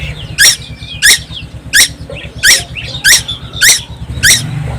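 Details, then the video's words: Tuwu, a young bird from Timor, Indonesia, that never stops singing: seven sharp, buzzy squeaks at an even beat with faint softer chirps between them, and a low steady hum in the background. "burung tuwu Pulau Timor gak pernah diam"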